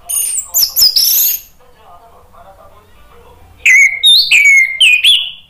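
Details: Orange-headed thrush (anis merah) singing in full, vigorous 'ngeplong gacor' style: high slurred whistles and chirps, a quiet gap of about two seconds, then a loud run of falling and rising whistled notes.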